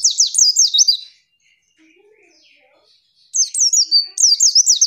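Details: Female pleci (white-eye) calling to provoke a male into answering, as in the wild: two bursts of high, rapid zigzag chirps, quick rising-falling notes, separated by a two-second quiet gap.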